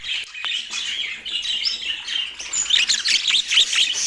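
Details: Budgies in Portland produce busy warbling chatter that turns into sharp, bright chirps and quick up-and-down squeaks in the second half, about two notes per second.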